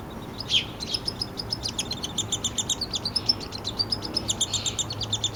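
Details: A nestling downy woodpecker is fed by its father in a Canadian yard in Lethbridge, Alberta, July 12, 2026; a loud opening squeak is followed by rapid, high, ticking begging notes over a soft low background hum.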